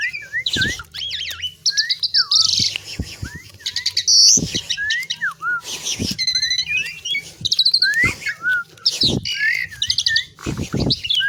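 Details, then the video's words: Jalak suren, the Asian pied myna, pouring out a varied song of looping whistled slurs, quick descending notes, harsh buzzy bursts and chatter, punctuated by sharp clicks. "THE BEAUTIFUL SOUND OF ASIAN PIED MYNA, JALAK SUREN GACOR"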